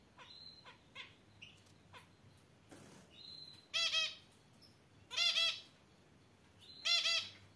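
Java sparrow giving soft, thin, high chips and clicks, then three loud, rich, rasping bursts spaced about a second and a half apart.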